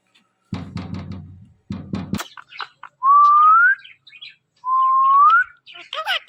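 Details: Talking pet parrot producing two long, clear, upward-sliding whistles, preceded by rough buzzy noises and followed by short chattering notes.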